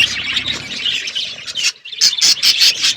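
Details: Winter-morning budgies chatter in high scratchy warbles, then after a short pause give a run of sharp, loud chirps about four per second.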